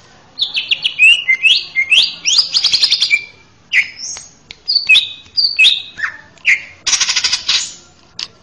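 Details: Male greater green leafbird singing as a master song for training young birds: loud, varied whistled phrases, upslurred and downslurred notes with sharp clicks, repeated in rapid bursts, then a harsh buzzy burst near the end.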